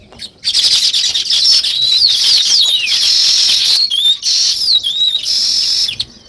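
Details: Sparrow chirping, weaver birds also named: loud, steady high chatter with several distinct sweeping whistled notes rising and falling above the crowd of calls.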